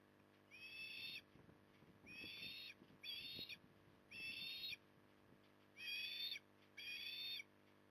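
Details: Osprey at Port Lincoln, Australia, during evening feeding in October 2020: six shrill, whistled calls in irregular spacing, accompanied by soft low knocking and rustling sounds.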